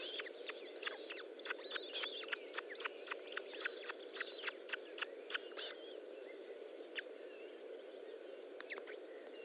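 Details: Feeding time at an Osprey nest, 25 June 2012, late morning: a rapid, fairly steady series of sharp clipped chirps for about six seconds, then a pause and a few more, all over a low background hiss.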